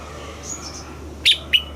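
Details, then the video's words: Red-whiskered bulbul from Thailand, southern master-style song (สำนวนแม่บทใต้) played to stir caged birds and teach young birds. Faint thin high whistles first, then two short, loud, bright notes about a quarter second apart, over a steady low hum. "เสียงนกกรงหัวจุก สำหรับต่อ หรือ เปิดให้นกคึก เสียงเพราะๆ"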